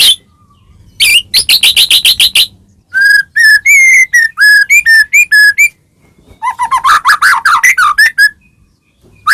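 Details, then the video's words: White-rumped shama song played to spur a caged bird: a dense rattled phrase, then varied whistled notes rising and falling, and a lower chattering warble toward the end. "murai batu gacor ngeplong PANCINGAN murai batu agar bunyi jadikan burung murai gacor EMOSI NYAUT"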